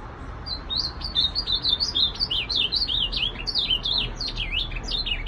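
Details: Whistled, tumbling warble of an ultramarine grosbeak, quick slurred notes rising and dropping in an unbroken run lasting several seconds, low hum underneath.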